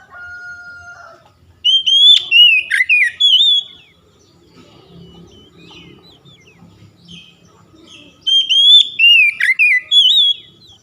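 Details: Oriental magpie-robin, a recording meant to stimulate a silent bird to sing: two bursts of rapid, ringing whistled notes separated by a quiet pause, with a steady flat double tone at the start.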